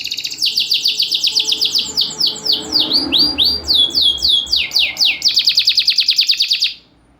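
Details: Champion canary in a cage, loud voice and short pauses, played to stir reluctant canaries: long sequence of repeated high downward sweeps, shifting to upward slurs, then a fast rattling trill that stops abruptly.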